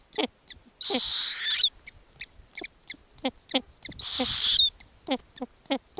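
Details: Arctic snowy owl nest with growing owlets being fed lemmings by the mother: brief piping downslurred squeaks repeated roughly every third of a second, interrupted twice by drawn-out hoarse hissing screeches with a whistled tail.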